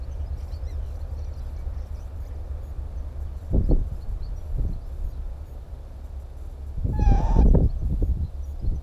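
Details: Northern lapwing recorded on the Timiryazev field in May 2017 gives one rising, harmonic-rich call among dull knocks and thumps, with low rumble throughout.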